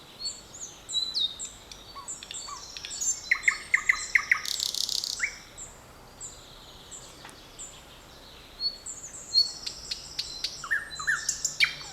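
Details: A forest chorus of birds on 7 May 2020: bursts of fast chirps, sharp repeated notes and a short buzzy trill, pausing midway and resuming with busy overlapping high twitters from several birds.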